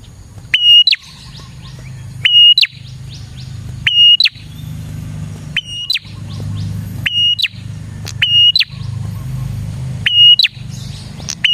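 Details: Prinia song used to attract prinias, a repeated phrase of a level whistle and a falling chirp roughly every one and a half seconds, over a noticeable rumble of passing traffic.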